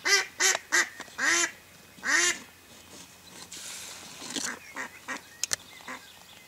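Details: Mallard hen serving as a hunting lure for wild ducks; a burst of loud, harsh quacks in uneven rhythm, then fainter, distant quacking and a few sharp clicks.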